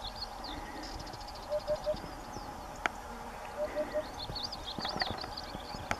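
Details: Sunny day, a Eurasian hoopoe calling from a ruined house's wall: two clear phrases of three soft, hollow 'oop' notes about two seconds apart, with thin twittering from other birds and a few sharp clicks.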